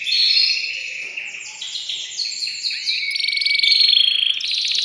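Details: Male canary stimulating a female for mating, delivering a continuous mix of high whistles, rapid sweeping notes and a fast buzzy trill.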